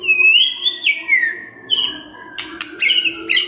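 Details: White-rumped shama song in the morning, meant to make a silent bird sing: long pure whistles rising then falling, trailing into softer notes and a run of quick clicks.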